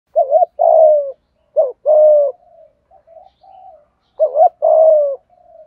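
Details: Spotted dove giving the 'thúc gù' urging coo, a voice said to suit wild birds, meant to set wild and decoy doves cooing: two short hooted notes, a longer sliding coo, soft murmurs, then the same phrase again.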